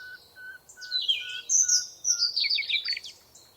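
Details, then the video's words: Forest birdsong: a high, tumbling, twittering warble over a steady series of short, low, even whistles repeated about every half second. "Birds Tweeting Sound Effect. Birds Chirping in the Forest."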